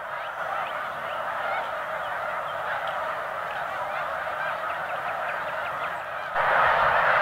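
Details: A huge flock of snow geese, estimated at about 85,000 birds, lifting off in March at Middle Creek Wildlife Management Area, eastern Pennsylvania, before spring migration; a dense continuous roar of overlapping honking calls, growing louder near the end.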